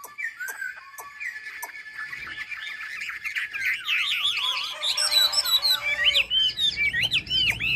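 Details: Chinese hwamei from Ha Giang, starting softly with scattered chirps, then breaking into loud, rapidly wavering whistles and looping warbled phrases that grow stronger toward the end.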